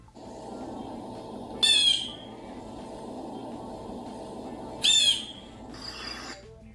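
Blue Jay giving three harsh, screechy calls a few seconds apart, each a brief noisy burst, over a low steady hum.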